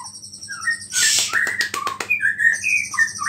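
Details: Singing white-rumped shama whose song carries imitations of small birds and is said to provoke other shamas; short whistled notes, a harsh hissing burst with sharp clicks, then clear ringing whistles.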